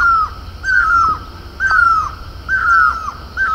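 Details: A great (Himalayan) barbet on horse chestnut blossom in Garhwal, Uttarakhand, gives loud, mournful, wailing notes that fall at the end, repeated about once a second in a steady series.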